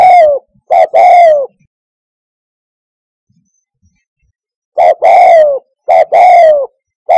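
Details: Hunting lure recording of a Spotted dove: a burst of three strong, low falling coos, a silent pause of about three seconds, then the same loud coo grouping resumes.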